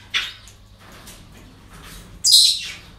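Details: Parrots at a breeding centre on an ordinary day: a short squawk, soft chatter, then a loud, harsh screech lasting about half a second, over faint hum.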